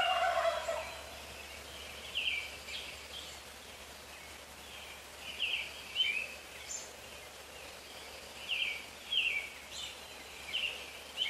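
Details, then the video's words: Neighbourhood wild turkey tom gobbling close by at 4:45 AM: a burst of rough, bubbling gobble opens the recording, then bright, short songbird chirps recur every second or so against quiet dawn air. "Turkey Gobbling Good Morning 0445 AM"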